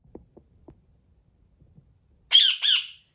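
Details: A pet male Indian ringneck (rose-ringed) parakeet indoors gives two loud, harsh, grating screeches in quick succession after a few soft knocks and murmurs; he screams when told "no" and when the camera is on him.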